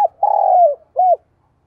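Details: A decoy spotted dove calling to draw in wild doves. A brief note is followed by a drawn-out, throaty coo that slides down, then a short rounded note rising and falling.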